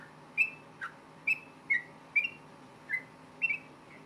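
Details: Yellow-vented bulbul in rapid fighting song, sung to get other bulbuls to answer. Separate short whistled notes, a few slurred downward, sound at uneven intervals of about half a second over steady background hiss.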